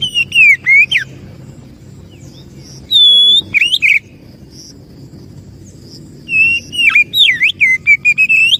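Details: Lure song of an oriental magpie-robin, known locally as kacer, for attracting birds: clusters of slurred whistles and sharp chirps, a long clear whistle midway, then a fast varied run of notes, over faint background hum.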